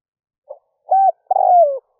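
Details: Decoy spotted dove cooing in early morning to lure wild doves: a soft short note, a steady level coo, then a longer coo sliding downward, clean and close.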